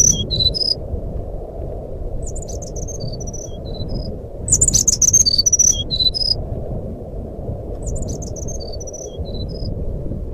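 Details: Jungle flycatcher fluting song, played to get a silent bird singing: three phrases of thin high whistles, the middle one loudest and fastest, set against steady low-frequency background noise.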